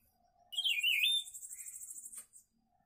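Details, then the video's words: Papa-pimenta song, a friend's bird: a single phrase opening with a sharp, falling whistled note, then a bright, thin, high-pitched buzzy trill lasting about a second and a half, ending abruptly with a short click; quiet background. "Canto Do Papa Pimenta"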